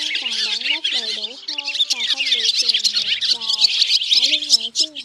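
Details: Swiftlet lure recording used in August 2023 to call a flock in to roost during migration: dense, high twittering chatter over lower, smoothly bending whistled tones repeated in short phrases.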